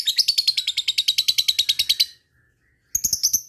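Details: Lovebird ngekek chatter used to provoke rival birds: a two-second burst of fast harsh high notes, a short pause, then a sharper, higher chattering burst.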